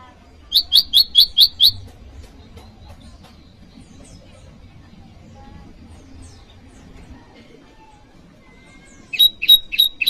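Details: Bar-winged prinia (prenjak lumut) calling to challenge a rival, as lure and tutor audio for cage birds: six rapid, piercing chirps, a long quiet stretch with faint background murmur, then a short final burst.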